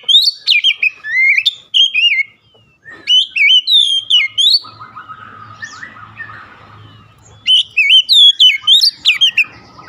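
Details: Vigorous Oriental magpie-robin song in several bursts of crisp, slurred whistles repeated about three times a second, with a patch of low rumbling noise midway.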